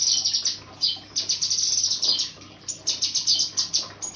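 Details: Cucak kinoi singing a rapid run of thin, high chirps and trills, bursts packed closely with short pauses, over a faint steady low hum.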